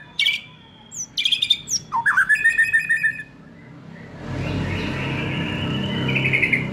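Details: Young wild-caught White-rumped shama singing to provoke other birds: a loud phrase of sharp notes and a rapid rattling trill, then steady background hiss with a faint distant whistle.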